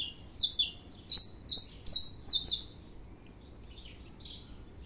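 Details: Saffron finch singing heavily: loud, high, buzzy slurred notes in quick pairs, about eight strong phrases in the first two and a half seconds, then softer scattered chirps trailing off against a quiet background.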